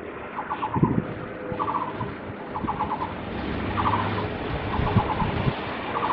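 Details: Taiwan barbet on a cable, 27 July 2023: a regular series of short, rapid pulsed note bursts, five or six in the clip, partly buried in a steady wash of broadband traffic and street noise.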